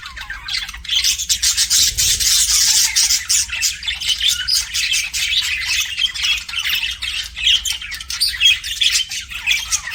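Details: Pet budgies produce a loud, nonstop twittering chatter, dense buzzy warbling strongest early on, then continuing as quick repeated squeaky chirps.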